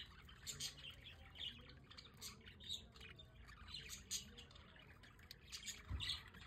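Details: A group of budgerigars kept as pets enjoys good weather on a balcony in The Hague; their busy, scratchy chirps and squeaky warbles come in clusters, with a low thump near the end.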